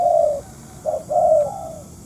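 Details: Spotted dove, during a trapping session with a decoy bird, giving soft, low hollow coos around a steady pitch: one long note, a short one, then a drawn-out pair.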